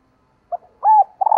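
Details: Female dove calling to attract males: soft, low hooting coos, with a short note, then a longer steady coo, then another coo beginning, in otherwise quiet surroundings.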